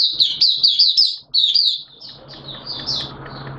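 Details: Oriental white-eye, a caged Mata Puteh in buka song on a wet, erratic-weather day in September 2022, delivers a fast run of high warbled notes that fades into softer, spaced chirps over a low droning hum.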